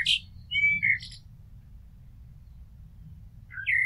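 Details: Common blackbird, a house blackbird, singing: a short burst of high twitter, then clear fluting whistled phrases near two kilohertz that slide downward, a pause, and a fresh whistle starting at the end.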